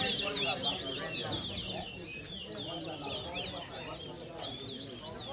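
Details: Competition song of a twa-twa, or large-billed seed finch, during a singing race in New Amsterdam, Berbice, Guyana: fast chains of sharp, high whistled notes and slurs running continuously, with people talking quietly in the background.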